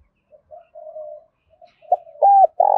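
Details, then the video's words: Spotted dove cooing, played to stimulate other doves to coo: low, hollow coos, first a short note and a longer drawn note, then after a pause several stronger, louder coos grouped closely toward the end. "tiếng cu gáy kích bổi nhanh nổi mỗi ngày"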